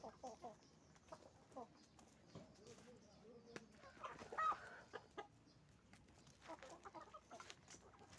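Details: Roosters and hens on a chicken farm making noise: scattered low clucks and short squawks come from several birds, with one louder, higher call near the middle, over a steady background hum of the farm.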